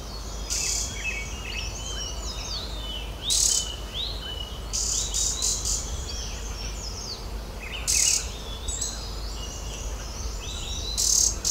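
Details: Green-backed tit at its nest-hole in the knot of an old oak in the Uttarakhand Himalaya, feeding chicks; a steady stream of thin, high chirps and twitters, broken every few seconds by short, loud bursts of rustling or fluttering as it darts in and out.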